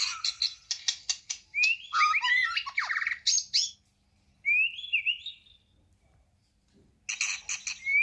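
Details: White-rumped shama singing a rich, varied song: rapid bursts of clicking, chattering notes, then sweeping whistled phrases and a clear rising whistle, followed by a pause and another burst of harsh chatter.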